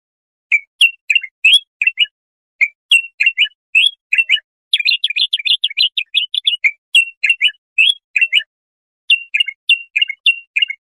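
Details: Singing bulbul, played so young goldfinches or hybrids can learn: steady strings of crisp chirped notes, a fast rattling flurry in the middle, then evenly spaced whistles. The background is silent.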